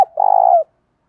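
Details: Spotted dove in the 'thổ pha đồng' style, a provoking song used to train new doves: a brief opening note, then one long, steady, vibrating purr that slurs downward at its end, followed by silence.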